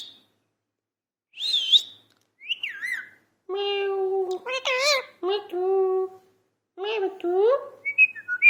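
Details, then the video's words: Pet parrot talking: a high whistled note, a falling whistle, then long nasal harmonic notes, wavering warbles and steady mewing tones, ending in rising squeaky phrases and short high chirps, indoors without other noise. "parrot talking 🐦. talking parrot"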